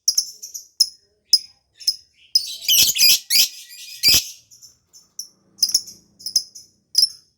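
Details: Lovebird song meant to lure escaped birds back and quickly rouse mating desire in others: sharp high ticks and chirps spaced about half a second apart around a dense, loud burst of shrill chattering midway.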